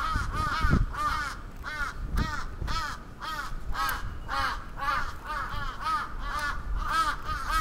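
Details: A crow on the attack in Sapporo's Atsubetsu Ward, Japan, 27 June 2017, calling nonstop: a steady stream of nasal, arching caws, roughly two per second, over faint low noise.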